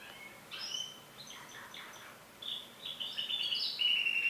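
A canary sings bright, high twittering phrases: quick chirps, short trills and thin whistled notes, growing louder and more rapid toward the end.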